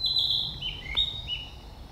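A Narcissus flycatcher sings clear, high whistled phrases that slide downward and then lift again, over a faint low background hum.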